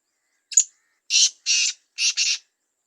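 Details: Male black francolin in its first season: a sharp opening chip, then a harsh, grating phrase of four short buzzy notes, the last two run close together, all within about two seconds in otherwise silent surroundings.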